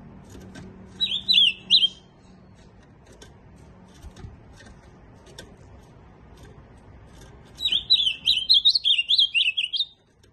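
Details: Ultramarine grosbeak gives a short burst of warbling, falls quiet for several seconds with faint clicks, then delivers a longer sweet phrase of rapid slurred notes that dips at the close.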